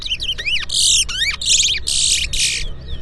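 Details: Chestnut-bellied seed finch, locally called towa towa, singing at a 2024 bird whistling competition in Port Mourant, Guyana: quick whistled notes sweeping up and down, then dense buzzy bursts, over a low murmur of people.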